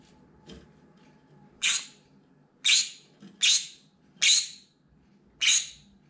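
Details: Desperate, loud screams of a pet green-cheeked conure at a window, set off by sounds, movements or other birds outside: five harsh, rasping, high shrieks, each under half a second, repeated about once a second in a quiet room.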